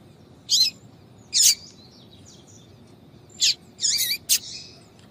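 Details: Female yellow-bellied seedeater calls to lure males: scattered high chirps, one with a faint trailing twitter, and a closing run of wavering, warbled notes.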